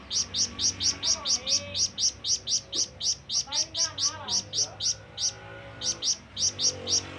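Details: Lively flamboyan bird calling to summon companions or rivals, giving a long, steady string of high, clipped chirps about three per second for over seven seconds, with faint lower background sounds and a constant low hum.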